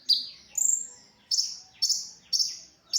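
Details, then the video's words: ['Brown-throated sunbird song for tutoring other songbirds: a few loud, shrill, buzzy-edged chirps about twice per second, each falling slightly in pitch.'] "suara original konin untuk masteran"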